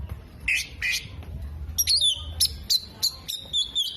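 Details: Oriental magpie-robin imitating hummingbird, bearded bird and lovebird: two harsh chirps, then a sliding whistle and a series of sharp, evenly spaced whistled notes.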